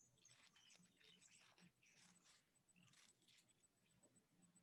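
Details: Cuban grassquit in Cuba, seen at seed-eating stations, a species declining there from illegal trade, gives thin, high, buzzy notes in quick bursts, about five or six across four seconds, faint over a low room hum.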